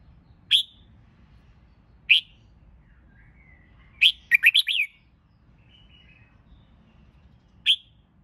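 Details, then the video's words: Singing red-whiskered bulbul, trained for competitive song contests, gives two spaced single whistled notes, a lively warbled run of five or six fluty notes, then one more isolated sharp note. "Chào Mào Hót Kích Bổi YẾU LỬA LÊN LỬA!.. Luyện Chào Mào Hót Đấu Căng. Thúc Chim Sổ Giọng."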